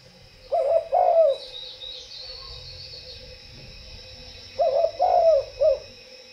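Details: Spotted dove singing two cooing phrases several seconds apart. Each is a mellow, purring sequence of a short coo, a longer drawn coo and a clipped final note. Thin chirps from other birds sound in the background.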